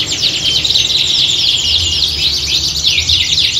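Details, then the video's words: A group of canaries in full chorus, recorded to sound like a singing contest and train the birds to compete; a thick wall of fast high warbles and sweeping whistles, unbroken, over faint low background hum. "Kicauan Squad Kenari Siap Gantang!"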